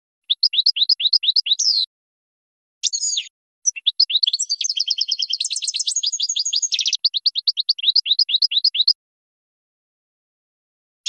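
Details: European goldfinch singing a long training song for young birds: rhythmic rising chip notes, a harsh buzzy burst, then a dense rapid twittering passage before more evenly spaced chirps, crisp and high with a silent background.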